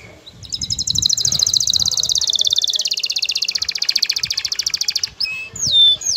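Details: Male canary excited for mating, singing at a female: one long, rapid trill of high pulses that drops slightly in pitch midway, followed by a few quick rising whistles.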